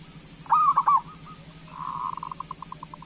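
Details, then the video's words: Zebra dove of the local type, song meant to spur idle doves to sing: a bright rolling coo phrase, a brief pause, then a bubbling trill slowing into separate soft notes, over faint hum. "Perkutut Lokal Gacor Suara Pancingan Burung Perkutut Paling Cepat Bunyi"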